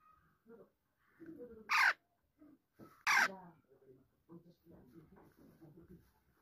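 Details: Two loud, harsh squawks a little over a second apart from a pet talking Alexandrine parakeet, followed by quieter mumbled speech-like chatter.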